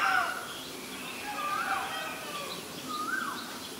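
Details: In Ubon Ratchathani, Thailand, on 17 April 2022, a Black-collared starling gives three clear, rising-and-falling whistled notes about every one and a half seconds, over a steady background hiss.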